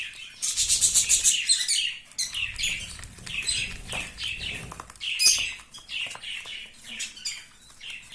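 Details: Newborn budgerigar chicks, out of their room for the first time, chatter in quick, high, scratchy chirps and warbles with several birds calling over one another; the owner suspects two are twins.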